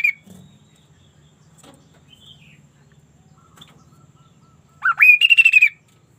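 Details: Sunda laughingthrush in energetic song, described as sounding unusual: after a low steady hum and near silence, a rising whistle swoops up into a fast burst of about seven clipped, ringing repeated notes.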